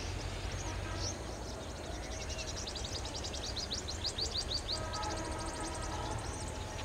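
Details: Sunbird calling: bursts of thin, high, sharply down-slurred chips delivered several per second, forming a rapid twittering run, over a constant low rumbling background noise.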